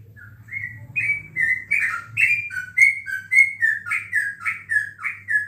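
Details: Trucukan, the sooty-headed bulbul, singing at home while bird contests paused for the coronavirus: a steady string of bright, slurred whistles, about two per second, alternating rising and dipping phrases over a quiet room hum.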